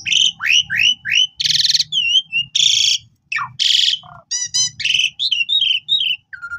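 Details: Asian pied starling in full, energetic song, used as a master to train new birds: varied whistles, harsh buzzy bursts, rising and falling slurred notes and rapid stacked chatter, with a low hum beneath.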